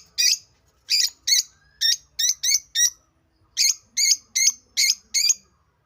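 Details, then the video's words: African lovebirds, a kind of parrot, giving sharp high chirps in quick bursts, about a dozen in six seconds with brief gaps, grouped in twos and threes; quiet background. "African love birds |l parrots || birds natural sound"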